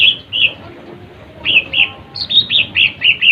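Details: Lesser green leafbird singing to rile rival birds. Bright downslurred chirps sit high and come in pairs, then quicken into a run of six similar notes near the end.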